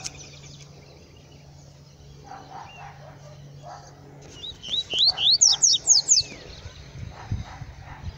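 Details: A black male yellow-bellied seedeater in the bush, after soft lower chirps, bursts into a loud run of steeply rising whistled notes repeated in quick succession, with background rustling.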